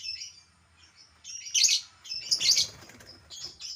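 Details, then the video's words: Albino lovebird kept as a pet, uttering high thin chirps broken by two loud harsh screeching bursts, with faint low background hum. "burung lovebird albino yang jadi primadona"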